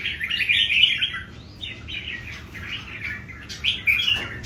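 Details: Three old wild-caught Red-whiskered Bulbuls compete in song, giving a run of rapid warbled notes that fade, then a sharp bright whistle near the end.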